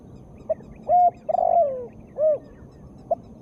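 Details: Female spotted dove voice intended to prompt quiet birds to call: a clipped note, a level coo, a long quavering falling coo, then a rounded arched hoot and another short note.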